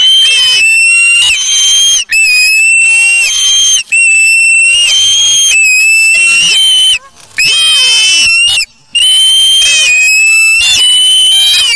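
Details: Osprey chick at the Charlo nest on August 3, 2017, taking a fish from its parent and feeding itself; loud, piercing whistled calls with a slight upward slur, given in long runs separated by brief pauses.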